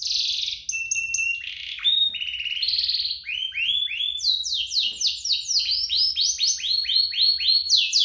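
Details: Canary singing to stimulate other canaries: long pure whistles at shifting pitches, then a quickening string of falling slurred notes, nearly four per second, ringing and bright.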